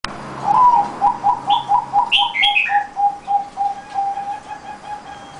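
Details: Zebra dove song: a rapid run of short, mellow cooing notes at a steady low pitch, about four per second, then slowing into evenly spaced notes. Brief higher chirps from another bird appear near the middle.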